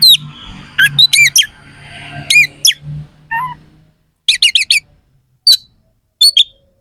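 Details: Oriental magpie-robin delivering harsh fill-in song: clusters of sharp, downslurred rasping notes, a lower whistled phrase, then spaced quick triplets and single chips after a pause, over a faint low hum.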